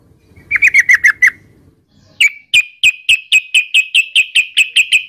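Yellow-vented bulbul giving a quick burst of bright chirps, then a steady run of about a dozen sharp, even notes, roughly four per second, over faint background rumble.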